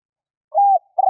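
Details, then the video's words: Spotted dove call used to lure wild doves: a steady low coo followed by another coo cut off at the end. "Tiếng chim cu gáy kích bổi"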